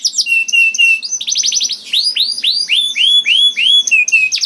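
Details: Song of a young canary, played to prompt other canaries to sing. It has flat whistled notes, then a quick buzzy burst, then a run of loud arching down-slurred notes, ending on level whistles.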